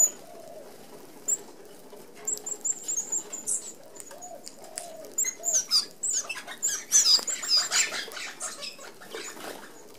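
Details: Red-browed finches, native to Australia, crowd an open aviary feeder as a flock; fine high piping calls rise over a growing busy whir of flapping wings and rustling in the second half.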